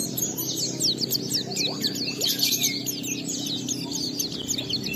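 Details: Oriental white-eye in full ngalas song, played as a lure to prompt other white-eyes to sing: dense, rapid high chirps and twittering slurs running continuously, with a steady low hum underneath.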